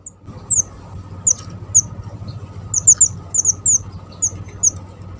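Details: Small Java sparrow, described as a lively, persistent singer, recorded as a lure for bird trapping: short, very high, thin downslurred chirps, singly or in quick pairs, spaced irregularly over a steady low hum.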